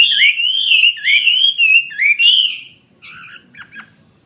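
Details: Caged Chinese hwamei of the fighting kind: a chain of loud looping whistles, each rising then dipping, for almost three seconds, followed by a few softer, scratchy notes.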